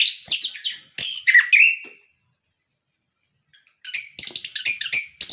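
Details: Orange-headed thrush song meant to coax captive birds into singing: a quick series of varied whistles ending in a slurred falling note, then about two seconds of silence before a fresh burst of rapid chattering notes.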